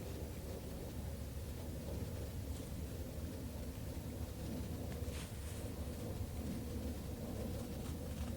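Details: Low rumbling wind buffets the microphone throughout, with no animal calls.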